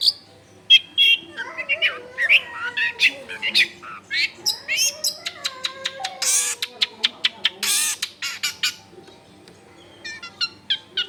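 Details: Long-tailed shrike singing, meant as a lure to provoke other shrikes, recorded in a crowded residential area: varied warbling, squeaks and sharp ticks, with lower wavering tones mixed in and loud clicking bursts.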